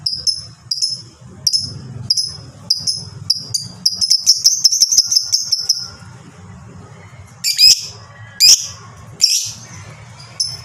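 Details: Lovebird in long 'ngekek' chatter, played as a master track to set other lovebirds singing: spaced shrill chirps build into a fast, continuous high trill, then break into harsh, buzzy bursts, with a low background hum.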